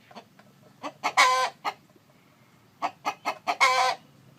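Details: Rooster and brooding hen: two phrases of rising short clucks, each ending in a loud, coarse, prolonged squawk and a trailing cluck, over a low steady hum.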